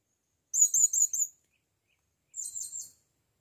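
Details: Blue-crowned hanging parrot, taken into the forest for the first time, calling to a female: a loud run of shrill, high twittering notes followed by a softer, quicker burst after a pause.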